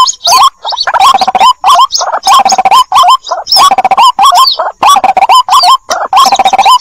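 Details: Lure recording of a young white-breasted waterhen calling for its mother: bursts of harsh, bent, gurgling notes in dense clusters broken by short pauses, roughly forty-six groups a minute.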